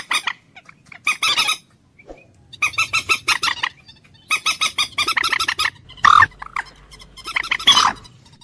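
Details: Common moorhen giving several separate bursts of fast, harsh, cackling notes divided by short silences, with a few sharper, higher squawks near the end.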